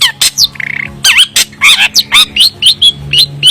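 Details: Long-tailed shrike (Lanius schach, cendet) sings a fast, varied, chattering run of harsh squawks, buzzy trills and sharp whistled notes, about four per second, over a low hum.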